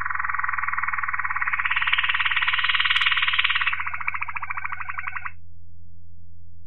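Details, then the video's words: Waterslager Malinois canary singing one long phrase: dense rolling trill swelling in pitch and loudness, then slowing into distinct gurgling pulses that fade out after about five seconds, over a faint constant hum. "Waterslager Malinois Canary"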